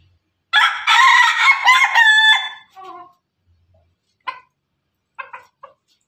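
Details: Rooster crow from Pelung and Ketawa laughing chickens kept together: a bold, raspy crow of about two seconds in stuttering pieces, followed by a soft low note and a few isolated short clucks.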